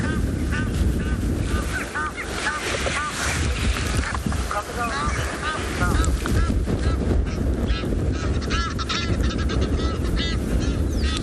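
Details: On a South African private game reserve on a September 2021 afternoon, Egyptian geese give harsh, repeated honking alarm calls after a fish eagle flies past.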